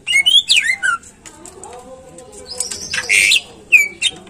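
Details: Caged greater green leafbird song used to spur other birds into singing: rapid swooping whistles and slurred notes at the start, a quiet gap, then a burst of harsh buzzy chatter and a final clear whistle.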